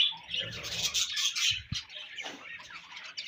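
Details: Budgerigars in breeding season chatter with quick high chirps and squeaks, broken by a couple of soft low knocks midway.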